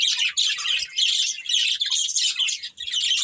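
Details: Breeding pair of budgies producing busy, scratchy chirps and warbled chatter in near-continuous bursts.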